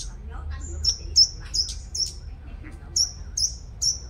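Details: Sunbird lure bird from Long Thành, Đồng Nai, Vietnam, praised as a strong singer. It gives rapid, high-pitched, thin tweets in two clusters of three or four sharp notes, separated by a short pause.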